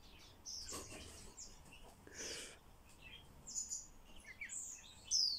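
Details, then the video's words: Talking-trained common starling mixing a broad rasping burst and crackling noises with thin high whistles and squeaks, ending on a loud bright downward-slurred whistle. "Обучение скворца разговору"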